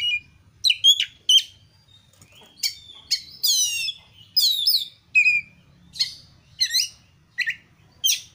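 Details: Oriental magpie-robin (kacer) giving energetic gacor song as a training lure: crisp chips and whistles, then a harsh buzzy rattled phrase, followed by spaced bright whistled notes and slurs.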